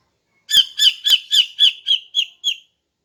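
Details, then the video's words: Female greater green leafbird's morning song, used to lure males. Eight harsh, rasping chatter notes at a steady pace of about four a second, softening toward the end, with silence before and after. "KICAUAN CUCAK IJO BETINA PAGI HARI 🔥 Alternatif untuk Pancing Jantan"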